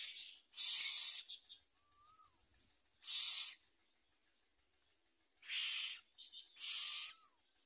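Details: Common myna chicks begging for food from their mother give harsh, hissing rasps, four bursts about every two seconds, with a faint thin whistle between them.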